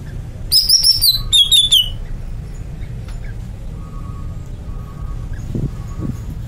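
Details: Two loud high whistled phrases from a greater green leafbird, the second falling in pitch, then a long quiet stretch with faint steady tones and soft low knocks.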